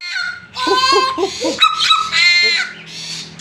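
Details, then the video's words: A tame Papuan butcherbird singing actively gives nasal, strongly harmonic notes: a run of quick wavering low notes, then brighter, buzzy honking phrases, with short pauses between them. "BURUNG JAGAL PAPUA ISTIMEWA, JINAK DAN GACOR"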